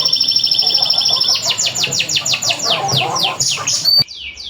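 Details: Local canary song used to set other canaries singing: a steady high twittering trill, then quick repeated downward-sweeping whistles, ending abruptly in a brief sharp note.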